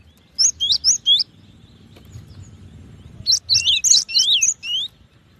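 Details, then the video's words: Cinereous tit whistling a short run of four high notes, then after a pause a longer, more varied phrase with down-slurred whistles. "SUARA BURUNG GELATIK BATU"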